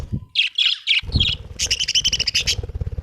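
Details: Home-kept budgerigars: rapid buzzy chattering notes, then a fast run of repeated harsh trilled calls over low rumbling and clattering background noise.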